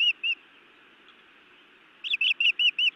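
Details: Female osprey at a Montana nest scolding her mate before biting him, evening of 31 May 2017, on a nest camera: two sharp chirps, a pause, then a quickening series of six high, slightly arched notes over a soft, steady background rumble.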